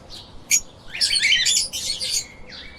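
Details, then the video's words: Dense, shrill chattering from pet lovebirds, a rapid jumble of high squeaky and buzzy notes packed together after a couple of isolated sharp chirps. "Explore The Chirping little Parrots"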